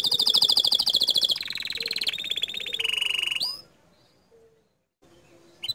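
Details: Bottle-green canary singing a loud, rapid trill that steps down in pitch through three phrases, then fades into near silence with a faint note at the end.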